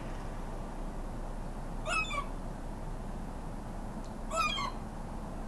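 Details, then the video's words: Gulls, ringtip and Icelandic, in a feeding frenzy, the large gull eating and fighting others while a small gull calls; two short, harmonic, mewing cries about two seconds apart over steady low background noise. "Seagulls gone W I L D"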